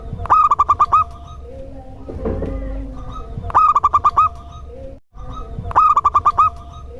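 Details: Local zebra dove cooing song, played to lure other doves and set them singing in reply; three bursts of rapid, pulsed coos, about eight notes each, separated by short pauses, over a steady low hum with a brief rustling noise.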